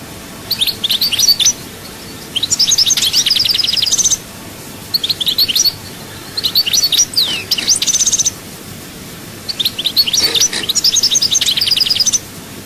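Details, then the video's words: European goldfinch singing in the chaayba style, Souk Ahras, Algeria: long rapid phrases of high twittering, buzzy trills and rattling notes, delivered in three bursts with brief pauses between them. "chant chardonneret souk ahras chaayba"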